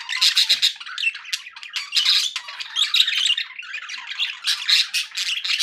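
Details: Happy budgerigars kept as pets, chattering indoors in a dense stream of scratchy, buzzy chirps and squawks, bursts following one another with only brief pauses.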